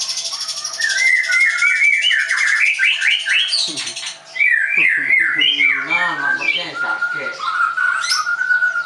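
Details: White-rumped shama kept at a songbird school in Tangerang, Indonesia; long run of rising whistled notes and rapid rattling trills, with lower fluttering sounds in the middle and a steady whistle near the end.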